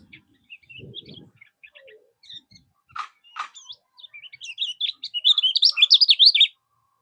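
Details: Kecial kuning 'mol' tutor song, said to lure rivals into replying: soft scattered notes and rustling, two sharp clicks, then a loud, fast run of rising-and-falling high notes for about a second and a half.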